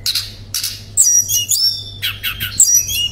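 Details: Shortwing called tledekan pring, loud therapy song with nembak and ngerol phrases: two harsh high bursts, then thin piercing whistles mixed with scratchy twittering notes in a busy jumble.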